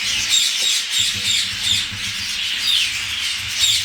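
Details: Grey parrots, described as very agitated, give harsh, hissing, grating squawks, about one burst a second, in a steady agitated chatter with no other clear sounds.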